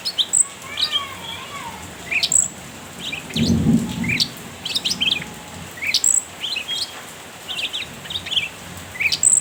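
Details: Cucak ranting calling to provoke a rival: scattered short sharp chirps and clipped high notes at irregular intervals, a few thin whistles early on, and a brief low rustle midway.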